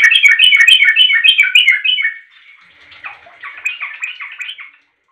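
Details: Sooty-headed bulbul giving a call meant to get other bulbuls answering: a loud fast string of chattering, bubbly notes for two seconds, a short pause, then a softer, looser series of similar notes.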